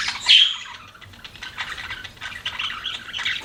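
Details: Pet budgerigar chirping: a sharp, loud squeaky note opens, followed by continuous soft buzzy warbling chatter.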